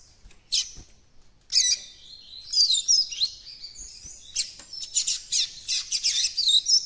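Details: Juvenile coleiro-baiano practising its developing encarte song, a rambling run of high, scratchy twitters and chirps that gets denser and more rapid toward the end.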